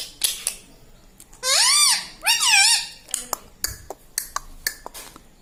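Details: Pet parrot talking indoors, said to mimic words such as "mitthu" and "mummy": two loud, arching, harmonic syllables in the middle, with scattered soft clicks and taps before and after.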